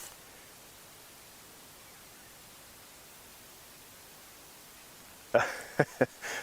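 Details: Steady hiss fills most of the recording, then a few sharp knocks and bumps come near the end, with no animal voice.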